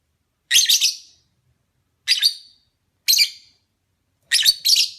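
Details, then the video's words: Opaline parblue lovebird chirping: four loud bursts of high, harsh double and triple chirps, spaced about one to one and a half seconds apart, with silence between. "Lovebird Singing & Chirping sounds"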